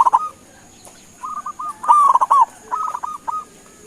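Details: Zebra dove of local stock calling to prompt a reply: a brief trill, then a row of spaced soft coos, a louder rolling bubbling phrase, and further coos, with a faint continuous high whine.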